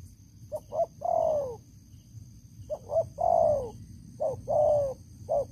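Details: Veteran decoy spotted dove, big-voiced, calling while used to lure wild doves. Repeated phrases of two short clipped notes and a long descending husky coo, roughly every two seconds, with low background noise.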